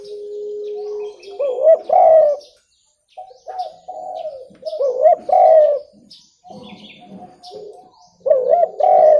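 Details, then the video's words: Spotted dove, used as a clear lure call for trapping birds: loud coo phrases of wavering, rising notes that repeat about every three seconds, with short pauses between them. Scattered high chirps from other birds are heard behind. "SUARA TEKUKUR JERNIH COCOK UNTUK PIKAT"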